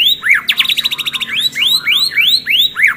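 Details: White-rumped shama delivering a loud fighting song: bright rising and falling whistled sweeps, with a rapid pulsing trill in the first second, then a string of swooping slurred notes about three per second.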